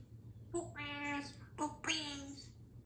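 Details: Female Congo grey parrot, seemingly happy, announces her poop ("uh oh poopies") in a childlike voice: three short harmonic bursts of mimicked words over about two seconds, with a faint low hum behind.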